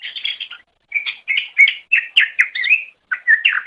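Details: Cucak ijo (green leafbird) masteran song: a continuous run of chattering, slurred phrases with brief warbled whistles, fast and varied, pausing briefly twice.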